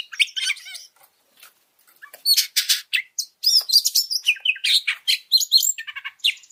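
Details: Oriental magpie-robin song for training other birds: a quiet start, then intense bursts of harsh buzzy notes and twisting whistles in quick succession.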